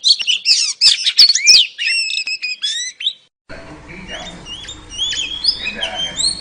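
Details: A female oriental magpie-robin calls to draw in a male: a loud burst of chirps and whistled slurs, then after a cut, fainter thin whistles and chips over a steady hiss of background noise.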